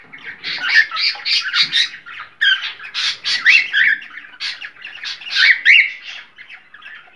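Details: Rapid, raspy cockatiel chatter intended to stimulate breeding: strings of harsh squawks with whistled inflections, delivered in uneven bursts about every second with short gaps.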